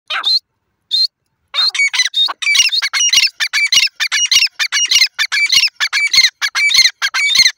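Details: Grey francolin calling loudly and close: harsh, ringing metallic notes, at first separated by short gaps, then packed into a fast, insistent rhythmic series of clipped squeaky phrases repeated several times each second.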